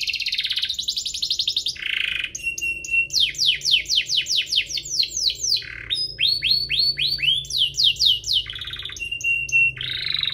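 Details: Energetic song from two canaries, meant to coax other canaries to sing: varied phrases of fast trills, runs of sharply rising-then-falling whistles repeated about four per second, short flat tones and buzzy rolls.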